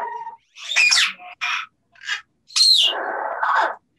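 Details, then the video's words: Two captive parrots at a bird safehouse, calling to each other with harsh squawks, short raspy bursts and a longer rough, voice-like phrase, possibly English-like words. "Talk to the Parrots"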